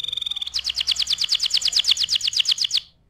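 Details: Canary song for tutoring other birds: a brief high buzzy trill runs straight into a fast, evenly spaced series of bright chirps that stops cleanly after a little over two seconds.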